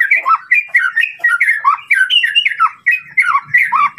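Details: White-rumped shama delivering song to stir a rival's emotions: rapid, rhythmic series of bright whistled phrases, each dipping and rising, loud throughout with faint low sounds toward the end.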